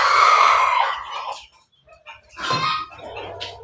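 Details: Pelung, Bangkok and ketawa crossbred rooster in a backyard, loud harsh crow in the first second and a half, then a pause and a second rougher burst of calling.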